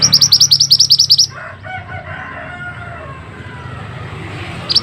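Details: A masteran recording of a mantenan: a fast, high trill opens, then gives way to lower, harsh, clucking sounds from another bird.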